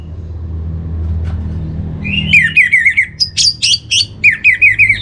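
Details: Orange-headed thrush song played as bait to make birds sing: after two seconds of low rumble, a lively string of rolling whistles and sharp higher notes runs without pause to the end.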